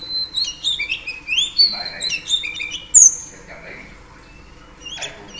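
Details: Female Oriental Magpie Robin singing to excite males: a burst of quick, sweet whistles and slurs, then one piercing high note, a long fading tail and near quiet, with a last brief note at the end.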